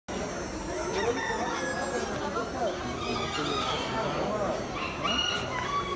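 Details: Black crested bantam roosters at a poultry show, Expo Yeca, 20 October 2019, crow in short, strained, rising-and-falling bursts, overlapping amid clucking birds and a steady murmur of human voices.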